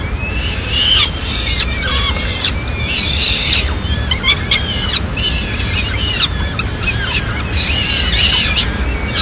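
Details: Mother peregrine falcon bringing food to her chicks in Madrid, 29 April 2016: uneven bursts of shrill, arched, wavering cries, some rising and falling, with clicks and a low rumbling background.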